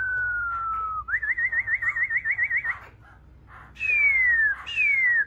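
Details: Newly wild-caught laughingthrush sings a long falling whistle, then a rapid wavering trill of about ten pulses, followed by two loud high whistles that slide steadily downward.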